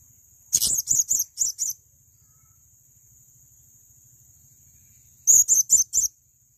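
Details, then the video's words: Male blue-crowned hanging parrot, kept for song training: two bursts of four or five very high, shrill, clipped notes in quick succession, separated by a silent pause of several seconds. "Masteran Burung Serindit Jantan Untuk Gacoran"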